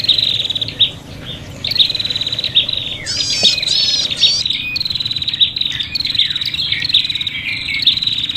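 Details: Prinia lure calls with a fighting, agitated character: clusters of sharp high chirps and buzzy trills, with a brief burst of rapid rising notes in the middle and short gaps between outbursts.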